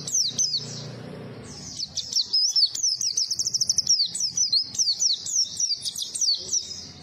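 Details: Lively white-eye song meant to draw in other white-eyes, with a brief low murmur at the start followed by a rapid stream of high, sliding, twittering notes in quick zigzag runs.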